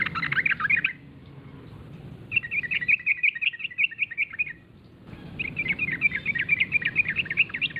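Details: Yellow-vented bulbul lure call meant to make others respond: three strong bursts of rapid, bubbly chattering, the middle run more even and trilled, separated by gaps of near silence.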